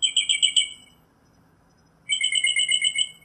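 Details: Northern mockingbird song: a quick series of bright repeated chirps, then a second of silence, then another run of rapid, evenly spaced high notes.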